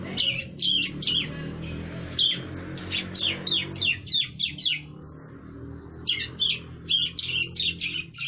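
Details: Bar-winged prinia chick practising its song: irregular bursts of high, sharp, descending chirps in two runs separated by a short pause, over a murmur of low background noise and a steady high whine.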